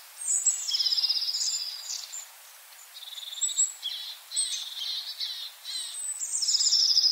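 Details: High, thin rattling trills and short twittering notes from long-tailed tits in a yard at Joroinen, in irregular bursts with brief quieter gaps between them.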